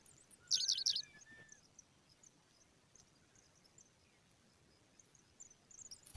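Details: Pipit babies being fed give a brief, intense cluster of high, squeaky begging notes near the start. A lower thin whistle follows, then faint scattered chirps and a sharp noise at the very end.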